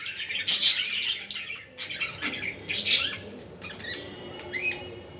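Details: Budgerigar chatter meant to stimulate budgies: harsh squawks and scratchy warbles in uneven bursts roughly every second or two, with quieter gaps between.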